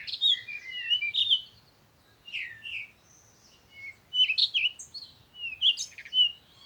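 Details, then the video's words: High, varied bird twittering in bursts of quick warbled and slurred notes, with short pauses between phrases and quiet background. "Sound of the Birds"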